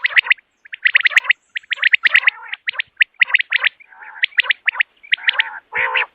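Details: Common quail calling in the morning, recorded as a hunting call, gives rapid bursts of sharp, high chirped notes in tight clusters, broken by a few lower, buzzier notes.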